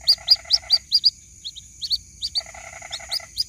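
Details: Calling to its mother, a white-breasted waterhen chick gives rapid bright peeps in bursts. A lower, buzzy pulsed chatter runs beneath them at the start and end. A steady thin whine persists throughout.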